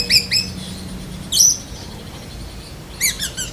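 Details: Black-breasted White-rumped shama mimicking lovebird: a few high squeaky chirps spaced about a second apart, then a quick chattering burst.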